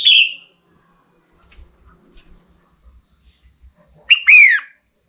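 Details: Calling female red-whiskered bulbul, meant to excite a male into song: a short descending whistle opens, then after a quiet gap a sharp note and a falling slurred whistle. A constant faint high tone persists.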